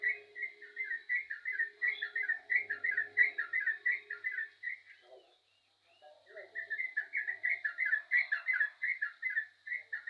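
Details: Busy song of a yellow-vented bulbul: a long string of rapid, liquid, slurred notes repeated several times a second, a brief pause, then a second equally lively string; faint steady high hum behind.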